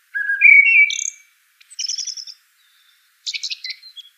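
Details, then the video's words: Common blackbird phrase opening with clear fluted whistles, then breaking into high, rapid, scratchy twittering notes, with a second high chattering burst after a short pause. "Common Blackbird Call/Song/Sound - Chirping/Singing Birds"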